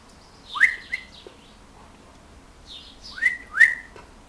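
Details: Swallows at a house, looking for a nesting spot: two pairs of sharp, rising chirps with bright harmonics, the second pair about three seconds after the first, with a soft twitter between them and a quiet background.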